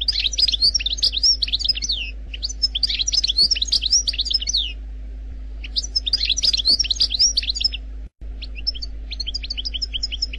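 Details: An Algerian goldfinch sings dense bursts of fast high twitters and chirping slurs, repeated in phrases with short quiet spells between them, over a constant low hum.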